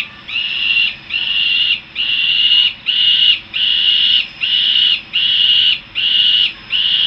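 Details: In Harrisburg, USA, juvenile Peregrine falcons back at the nest give nine evenly spaced, strident wailing notes, each lasting about half a second, with only brief gaps between them.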